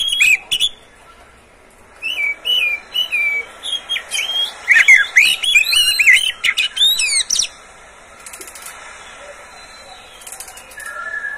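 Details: Caged Oriental magpie-robin kept by its owner, its song used as a lure to prompt other magpie-robins to sing morning, noon and evening. It gives a varied run of loud, clear whistles and slurred, rising and falling notes with sharp chirps, quiet afterward.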